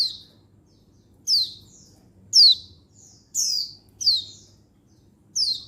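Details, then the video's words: Mature female Oriental white-eye (pleci), a call meant to attract males, dated 19/11/22: about six loud, piercing, downward-sweeping chirps at uneven intervals, with faint short notes between some of them. "Untulan Betina Mapan Memanggil Jantan Perangsang Ngalas Burung Pleci"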